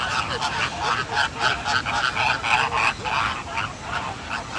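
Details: American flamingos calling in Singapore, a steady goose-like honking chatter of many birds, nasal notes repeated several times a second over a constant background hum.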